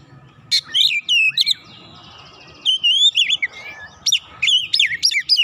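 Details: Oriental magpie-robin agitated by a rival, unloading its song repertoire after one provocation: bursts of clear whistled, swooping and trilled high notes in three clusters separated by pauses, with faint low background rumble.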